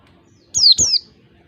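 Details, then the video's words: Wild oriental white-eye giving its "ngalas" 1-2-3 beat song, used as a lure for all kinds of white-eyes: two thin, high, quickly falling whistled notes back to back, over a faint low hum. "pancingan pleci ngalas 1 2 3 ketukan terampuh buat pancingan segala jenis pleci"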